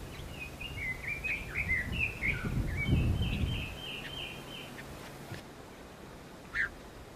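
Red-billed leiothrix singing a quick, four-second warble of varied whistled notes, followed by one lone note, over a low background rumble.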